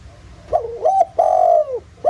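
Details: Spotted dove cooing in 'giọng thổ' style as a lure for other doves: a dipping two-part note climbing to a level tone, then a long smooth coo curving downward, and the start of another note.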